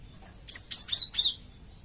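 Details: Cinereous tit lure call used to provoke untrained flock birds into answering: four clean, high-pitched chirps run together quickly, thin whistled first notes followed by two lower, buzzier ones, against near silence.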